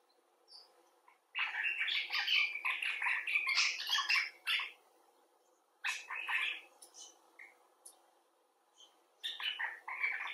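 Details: After near silence, a common bulbul bursts into loud, grating chatter for about three seconds, then gives two shorter chattering bouts separated by quiet gaps; bird among rescued clinic birds and wild ones.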